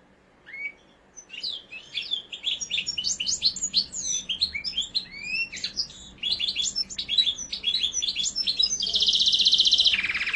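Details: Mosaic canary delivering a long, rapid song of varied high chirps, slurred whistles and quick notes, about three per second, ending in a dense buzzy rolling trill near the close.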